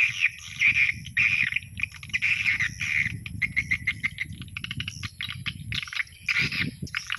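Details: Swiftlet lure sound played at dusk, dense chirping twitters around a steady high whine, broken into bursts with fast clicking runs, over a low rumbling background.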